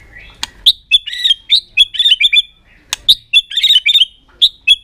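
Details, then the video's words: Caged White-rumped shama in aggressive tail-flicking display to provoke other birds: rapid chattering bursts of rich whistles and buzzy trills, about four notes per second, with sharp clicks between phrases. "chòe lửa kéo dây siêu dài,đánh đuôi thái độ kích chim hiệu quả"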